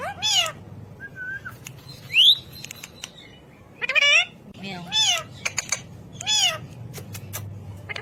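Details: Ring-necked parakeet talking: a series of arching, meow-like harmonic calls about one second apart, mixed with a brief steady whistle and a sharp rising squeak.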